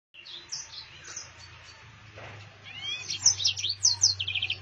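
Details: Yellow-fronted canary singing a rolling, chattering song: thin high whistles and buzzy trills, with bursts of rapid notes late in the phrase over a low steady hum.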